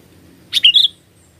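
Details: Sooty-headed bulbul sound used as a lure for catching birds: one short, bubbly phrase of three or four quick whistled notes, the last slurring downward, against a quiet background.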